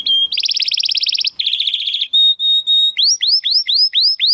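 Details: Timbrado Español canary, a male born in 2020 to rated parents, performing training song: a fast rolled trill, a buzzier rattle, a steady pure whistle, then hooked rising notes roughly three per second.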